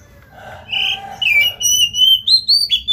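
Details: Oriental magpie-robin, a singing bird played to provoke another to sing: rich whistled phrases climbing in pitch, slurred notes repeated in short bursts near the end, quiet low hum beneath.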